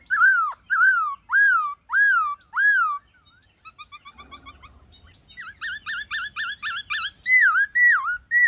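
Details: Wild-style White-cheeked laughingthrush song, used to push captive birds into singing: five loud slurred whistles that rise and then drop, a soft rapid stutter of notes, then a fast series of short rising whistles.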